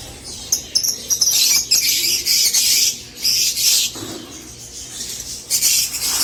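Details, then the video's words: Continuous shrill chattering and squeaking from many Rosy-faced lovebirds, intended to stimulate mating, swelling and fading in loose waves throughout. "أجمل تغريد لطيور الروز .. صوت الروز .. صوت الروز"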